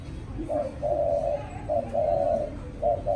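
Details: Spotted dove raised by hand from a chick, kept caged and cooing in contests: repeated low mellow phrases, a brief coo then a longer tremulous coo, three phrases in close succession with soft background noise.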